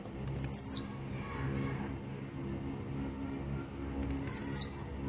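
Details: Grumpy, fired-up Blue-black grassquit singing two brief buzzy descending notes roughly four seconds apart, each with faint clicks before it. A steady low droning hum runs throughout.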